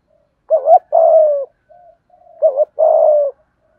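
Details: Spotted dove giving the urging 'thúc gù' coo style, used to make wild and decoy doves coo: two low phrases, each a quick double note and then a long steady coo, with faint soft murmurs between. No other sounds.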